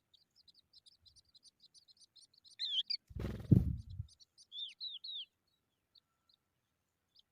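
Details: Eurasian skylark chicks in the sun give steady rapid high ticks, then several louder down-slurred chirps, interrupted by a heavy low rumbling thump mid-way.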